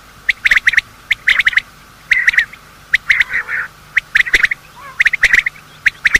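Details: Male and female quail morning call for hunting: sharp whistled notes in tight groups of two to four, spaced roughly a second apart, with one softer buzzy phrase in the middle.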